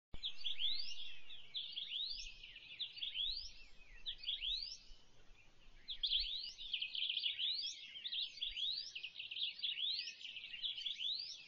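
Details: Swallow-tailed bee-eaters in the Kalahari, Botswana, September 2014, give a steady stream of short, high, rolling chirps, several birds overlapping, with a faint low rumble beneath.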